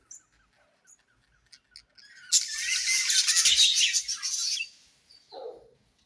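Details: Budgerigars in breeding season chirping: faint scattered high chirps, then a dense burst of chattering warble lasting about two seconds, followed by a short lower squawk near the end.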